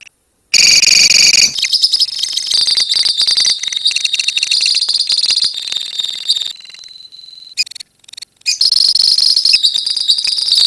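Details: Lovebirds kept as a colony sing the drawn-out ngekek: a very high, rapid, rattling trill that runs for several seconds, briefly drops to quieter chatter, then resumes loud and shrill.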